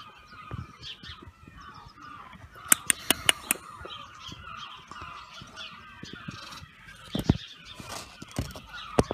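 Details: A captive pair of hornbills at Thrigby Hall Wildlife Gardens, Norfolk, on 15 February 2015, seeming ready to attack or escape, recorded on an iPhone 6: harsh, goose-like honks over a steady hum, with sharp clicks and knocks in bursts.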